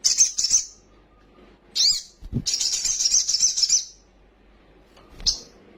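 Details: Kolibri sogon sunbird in full song, used as an agitating lure. High buzzy trills alternate with sharp single chirps, and a soft low thump is heard once.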